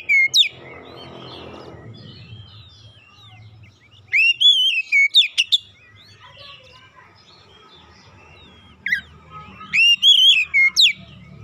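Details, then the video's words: Oriental magpie-robin song used to prompt a silent bird into full song: an opening note, a quiet stretch with low rumbling, then two bright bursts of rapid whistled and chattering notes several seconds apart. "TERAPI MEMPERCEPAT KACER BISU MACET BUNYI LANGSUNG GACOR"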